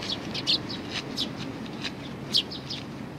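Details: Several sparrows chirping at Tenmangu shrine, 22 May 2019: a busy overlapping scatter of short, high tweets from more than one bird, with one louder chirp near the end, above a low constant rumble.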